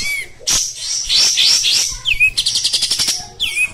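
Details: Caged Oriental white-eye singing continuously in the rough 'tembak' style: dense high twittering chatter, then a rapid run of sharp repeated notes about ten per second, with short downslurred whistles between phrases.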